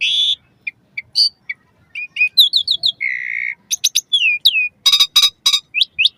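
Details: Asian pied starling song played to train caged birds, morning and evening: varied whistles, harsh buzzy bursts, a long flat whistle and rapid stacked chattering notes in quick succession.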